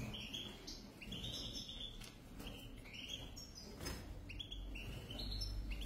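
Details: European goldfinches, a pair, giving short bright twittering phrases at intervals, mixed with clicks, a knock and a strong low-pitched background rumble.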